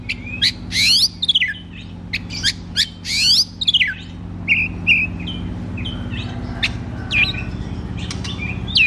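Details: Oriental magpie-robin (kacer) giving loud 'ngeplong' song meant to coax reluctant birds into singing: rapid sweeping whistles and harsh downslurred notes in bursts, followed by softer warbled phrases, with a steady low hum behind.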